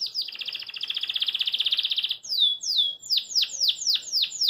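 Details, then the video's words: A caged Belgian canary sings a fast, high buzzy trill lasting two seconds, then a series of bright descending whistled notes repeated about five times per second. "CANÁRIO BELGA CANTA PORQUE GOSTA"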